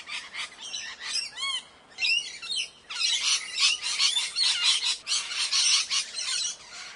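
Rose-ringed parakeets give harsh, high squawks and a few rising-falling whistled notes, then a dense run of overlapping screeches, roughly one per second.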